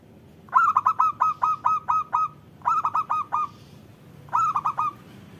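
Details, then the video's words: Local zebra dove in vigorous song, used to coax reluctant doves into calling: a long run of about eight soft, evenly spaced coos after a rising opening note, then two shorter four-note phrases, hollow and purring in tone. "Perkutut lokal gacor Panggilan Perkutut Agar Bunyi"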